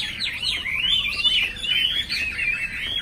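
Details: Chinese hwamei, kept in a cage, delivering a flowing run of slurred whistles, quick upward and downward sweeps strung together without pause.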